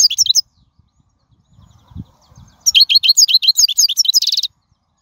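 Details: Wild European goldfinch song used to teach fledglings: an opening burst of high twitters, a pause, then a lively run of rapid, bright, downward-slurred notes ending in a short buzzy trill.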